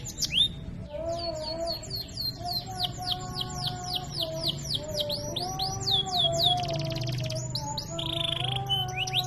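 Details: Canary in strong, elaborate song for training: quick series of falling chirps about four per second, a harsh buzzy burst midway, a sustained buzz, then more sweeping notes over a faint low drone.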